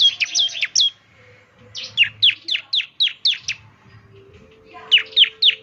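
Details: Bar-winged prinia (ciblek) in lively 'gacor' singing, played each morning to prompt other ciblek to answer. Bursts of sharp, high, down-slurred chirps repeated rapidly, in three phrases separated by short pauses.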